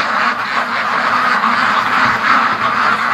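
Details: Large free-range flock of farm ducks rushing to and from a lake on their daily routine; dense, continuous overlapping quacks and chatter from many birds at once, steady and loud throughout.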